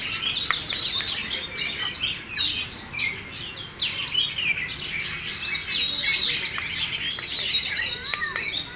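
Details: Champion contest oriental magpie-robin kept in a cage, tail spread fully, sings continuously: jumbled, rapid chattering notes and squeaky whistles with few pauses.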